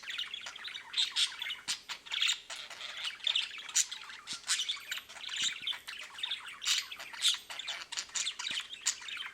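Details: A sick pet budgerigar chatters in rapid, scratchy chirps and squawks, with a faint steady hum behind.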